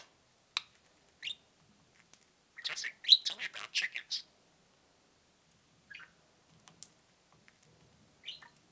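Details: Pet budgerigar pair indoors: isolated thin peeps, then a brief rapid burst of chattering cheeps, followed by quiet with a few faint chirps.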